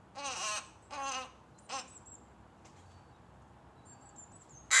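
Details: Rook chick pestering its mother at a feeding spot with tame birds: three harsh, harmonic-rich calls in quick succession, then thin high whistles of a small bird and a sudden loud burst at the end.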